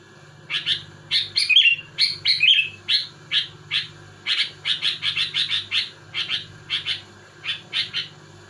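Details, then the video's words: Sooty-headed bulbul in vigorous rival-provoking song: chirps repeated roughly once a second, two warbled flourishes near the start, then quickening runs of clipped notes, with faint low hum behind. "Suara burung kutilang gacor muntahin isian tembakan rapat menekan lawan bikin kutilang lain emosi"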